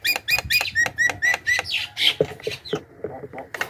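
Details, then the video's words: Javan myna call used as a lure to attract wild mynas: a rapid series of sharp, repeated chirps and squawky whistles, about two per second, followed by harsher, lower chattering notes. "suara burung pikat jalak kebo gacor"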